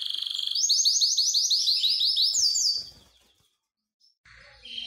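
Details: Excited canary song in mating mood: a fast, rhythmic high trill of rapidly repeated notes lasting about three seconds, then a short pause and a quieter trill beginning.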